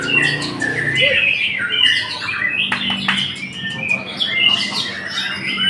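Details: White-rumped shama singing clear whistled notes and chirps interspersed with sharp clicks and short chattering bursts, varied phrases separated by brief gaps.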